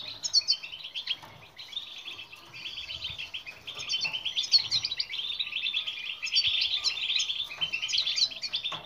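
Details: European goldfinch twittering song, played as training to get silent birds singing: a long, dense, unbroken stream of rapid liquid chirps and buzzy trills that grows fuller toward the end.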